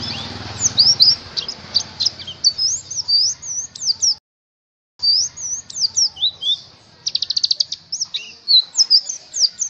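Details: Oriental white-eye song played as a lure so caged birds start singing busily: fast, high twittering of sharp rising and falling notes, a brief silent break, then a buzzy rapid trill and more chattering phrases.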